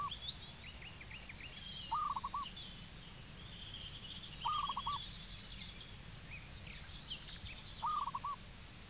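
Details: Zebra dove in Cambodia repeating a quick stuttering coo phrase roughly every two and a half seconds, while assorted other birds chatter and chirp at higher pitch throughout.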